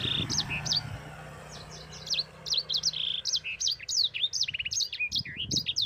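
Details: Sanger, the yellow-fronted canary, in gacor ngerol style, a training song for other birds: a rapid run of high sweeping whistles, short trills and buzzy notes, nearly three phrases a second, over faint low background hum.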